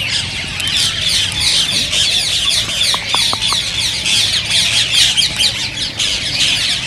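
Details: A flock of green rose-ringed parakeets, calling to stimulate singing and mating, keeps up a thick wall of high squawks and chirps, with four brief sharp clicks just after halfway.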